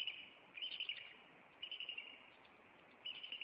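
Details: Bald eagle at a Maine nest on April 26 as the resident pair confronts an intruder; three short bursts of rapid, high piping chatter separated by brief pauses.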